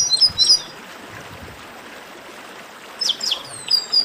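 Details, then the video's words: Chestnut-capped blackbird in esquenta song. Two short bursts of high, sharp chirps separated by a long quiet stretch, with faint background hiss. "Melhor Esquenta de Garibaldi"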